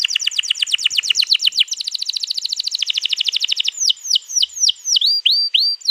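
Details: Canary in long rolling song, 21 April 2022, used to encourage other canaries to sing: rapid descending trilled notes merging into a steady fast roll, then slower separate swooping whistles.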